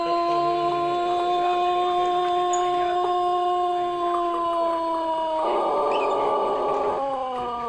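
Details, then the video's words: Pelung chicken, a rooster of the Plered, Purwakarta Regency line, gives a long, steady, drawn-out crow. Its rich harmonic tone holds nearly level for over five seconds, then swells into a rougher, louder final stretch before easing off. "Kompilasi Suara Ayam Pelung Plered (A.P.P) Istimewa"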